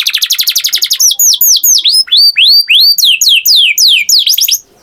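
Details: A canary sings a short rapid trill, then a run of clear, downward-curving whistled notes repeated about four times per second, loud and bright, stopping abruptly at the end.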